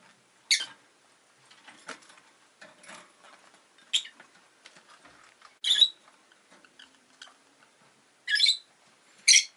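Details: Pet rosy-faced lovebirds, one of two birds newly added to the household, give sharp, shrill chirps in scattered bursts over about ten seconds, about six loud ones among fainter rustling and clicking indoors.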